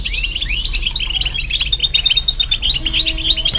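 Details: European goldfinch singing alongside a hybrid to stimulate other birds: busy, tinkling, high twitters running continuously and growing louder toward the end, over a faint low hum.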